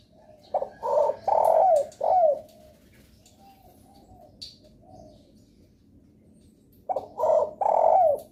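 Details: A spotted dove gives a lure call intended to set other doves calling: a four-note cooing phrase with a drooping final note, several seconds of near silence, then a similar phrase.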